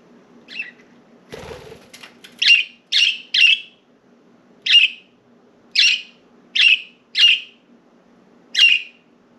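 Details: Pet budgerigars, several birds flying free outside their cage and perching on window blinds indoors, give short bright chirps, some rising, repeated at irregular intervals of about half a second to a second. A brief burst of wing flapping or rustling comes early on.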